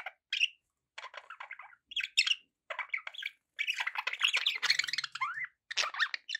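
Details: Pet budgies in nearly continuous chatter: grating squawks, quick chirps and rising and falling warbled notes tumbling over each other, with only short breaks.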